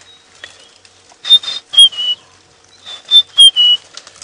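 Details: White-browed scrub robin singing two bursts of clear, high whistled sliding phrases with a quiet pause between, at dusk during an August winter game drive at Djuma Game Reserve, South Africa; last chorus before nightfall, elephants nearby.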